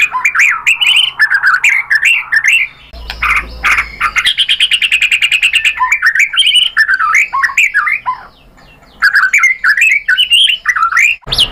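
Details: Rich varied song of a white-rumped shama used as a lure to make other shamas sing: fluty rising and falling whistled phrases, a fast trilled run in the middle, then more melodious warbling phrases after a brief pause.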